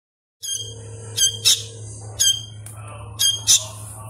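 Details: Young sooty-headed bulbul chick, still learning its sounds, calling while being hand-fed: a few high, harsh harmonic squawks in pairs, separated by gaps, over a steady low hum.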